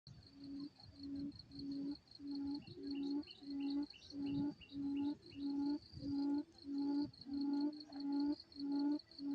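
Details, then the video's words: Quail call used as a trapping lure, a lively fighting call: a steady series of low, hollow, tonal hoots, each about half a second long and repeated roughly every 0.6 seconds, over a continuous high cricket-like trill. "tiếng chim cút bẫy đấu cực sung"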